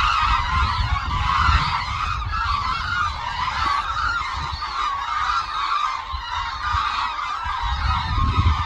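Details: Hooded cranes flying in a large flock over Suncheon Bay Wetland, South Korea, at their wintering site. A constant chorus of overlapping honking calls plays over low rumbling wind noise.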